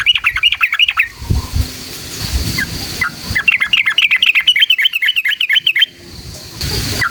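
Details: Sooty-headed bulbul song used as a lure to provoke other bulbuls into singing: long rapid runs of bright chattering, warbled notes repeated about four per second, a pause, then another extended burst, with low background rumble.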